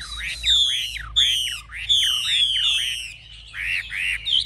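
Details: A caged fighting Chinese hwamei, wings lifted and tail spread, sings strong looping phrases: each a clear, high, falling whistle swooping down and back up, repeated about every second.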